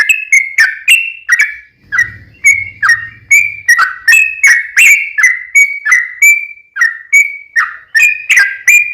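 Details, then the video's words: Yellow-vented bulbul in lively full song, played as a lure to get other bulbuls singing: bubbly, liquid two-part notes dipping and rising, repeated nearly three times a second, with a brief low rumble in the background. "trucukan gacor ROPEL PANJANG buat pancingan trucukan agar bunyi"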